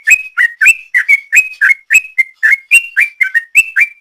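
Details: Long ropel style from a sooty-headed bulbul, played as a lure: an unbroken rapid chatter of bright whistled notes, about four per second, alternating dipping and rising shapes.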